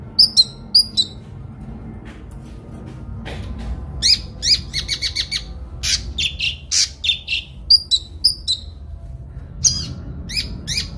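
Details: Kinoi song used for mastering songbirds: clusters of high sharp chirps and downslurred whistles, a quick stuttering trill in the middle, brief pauses between bursts.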